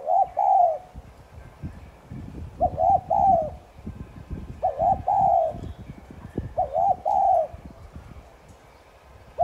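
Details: Spotted dove calling in thúc gù fashion to rouse other doves: four soft cooing phrases, each a short doubled coo followed by a longer mellow note, over steady rustling and low thumping noises.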